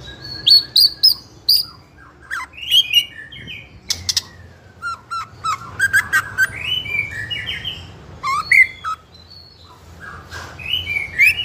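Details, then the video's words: Young spotted White-rumped shama of fighter type in full nonstop song, used to lure other juveniles into singing; a long, varied stream of high whistles, slurs and sharp chips, densely packed with brief pauses. "Pancingan Murai Trotol FIGHTER Ngeplong Bikin Trotol Lain Terpancing Emosi Ikutan Gacor"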